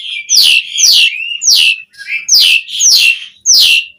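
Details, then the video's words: Asian pied starling giving a 'gacor' song with 'isian' variation, for training starlings to sing: six harsh, downward-sweeping notes repeated about twice a second, each with a buzzy ragged edge and one short low whistle between. "Suara Jalak Suren Gacor Full Isian Variasi"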